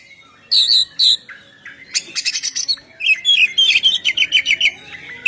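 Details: Oriental magpie-robin (kacer) singing in the loud, open ngeplong style used to lure birds: two clear whistled notes, then a burst of rapid buzzy chatter, then a fast run of repeated rising whistles.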